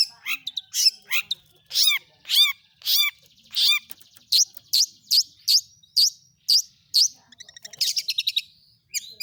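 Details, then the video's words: Lure song of a long-tailed shrike meant to set other shrikes singing: loud, evenly spaced downslurred high notes, each ringing with harmonics, then a quicker twittering stretch and brief chattering near the end. "pentet PASTOL gacor || toet toet sambung materi || pancingan burung cendet paling ampuh"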